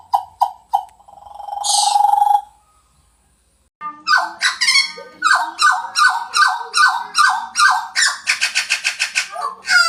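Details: Pied butcherbird: three short whistles and a long drawn-out swelling note, silence, then a fast, rhythmic series of ringing down-slurred notes, roughly two or three per second, speeding up toward the end.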